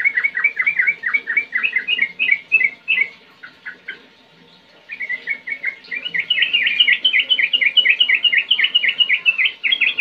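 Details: Sooty-headed bulbul singing gacor, ngetir-ngerol style, as a lure for young birds: quick bubbly chirp phrases, a brief pause, then a faster, brighter stream of repeated warbled notes, with a soft background hum.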